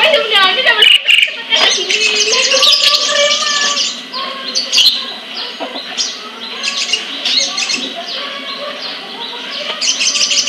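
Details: ['Indonesian sunbird from a bird collection in Kebagusan, Pemalang, Central Java, with long bursts of high, rapid, chattering trills and sharp ticks, over lower warbling notes from other birds in the background.']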